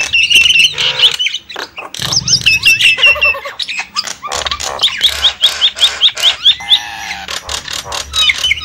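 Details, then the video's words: Lure recording of Javan myna used to draw in wild birds: loud grating squawks alternate with rapid runs of short high whistled notes, about two to three bursts per second, broken by brief pauses. "suara pikat burung jalak kebo"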